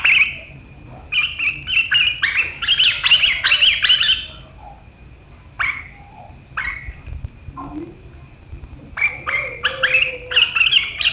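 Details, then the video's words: Sooty-headed bulbul with sharp riwikan chatter that provokes rivals, 7 April 2023; four seconds of rapid, rasping bright notes, scattered single calls, then another fast chattering burst. "Suara burung KUTILANG GACOR RIWIKAN yang tajam membuat lawan ikutan ngeriwik"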